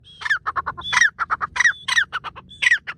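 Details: Francolin hiding in bushes in the forest, calling loudly: harsh, strident notes, each followed by a rapid cluster of short clipped notes, in a rhythmic repeated pattern across three seconds, with no other clear sounds.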